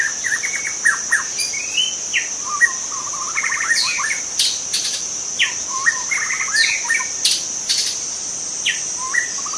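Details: Varied song of a wild forest white-rumped shama: fast series of short repeated notes, ringing whistles and scratchy bursts in quick succession, with an unbroken shrill insect chorus throughout.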